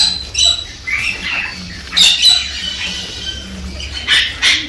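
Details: A Galah gives harsh, high, screechy squawks in irregular bursts with softer chatters between, over a faint low hum. This is its courtship call, stimulating the female to mate.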